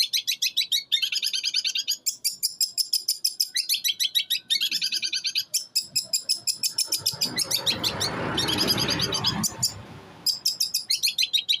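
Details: Eight-month-old captive long-tailed shrike from Jember, East Java, singing in one breath with mimicked material of sparrow, kuntilanak and tengkek buto calls: dense rapid high chirps and trills, with a brief noisy burst midway.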